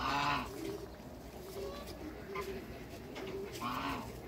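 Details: Six African and Toulouse geese on first meeting: two separate nasal honks, at the start and near the end, with quieter low cooing and background hum between them.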